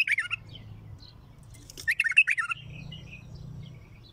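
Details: Strong, heavy-throated bulbul song in raw form: a short chattering opening, a soft pause, then a loud rapid phrase of bright jumbled notes, followed by faint twitters and low rumble.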